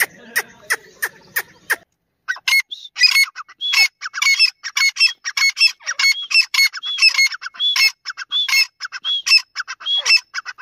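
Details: Dakni or Irani teetar, a Grey francolin: sharp clicks open, then a long, rhythmic sequence of scratchy, ringing call phrases with whistled notes, repeated roughly every half second.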